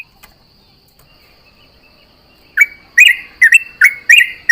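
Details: A quiet pause, then a sooty-headed bulbul at dawn in the morning dew answers companions with a few quick, bright chirped notes, doubled and rising, at the end.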